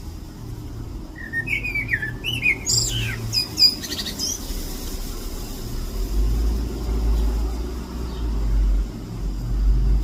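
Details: A chatty bird, possibly an Alpine chough, gives a quick burst of high, wavering, whistled chirps in the first few seconds, then falls quiet under a steady low rumble of traffic or wind.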